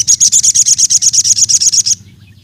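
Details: Sooty-headed bulbul in energetic full song, used as a lure to challenge rivals and get other birds of its kind singing: a fast, high, buzzy trill of about fifteen evenly spaced notes over two seconds, then stopping, over a low steady hum.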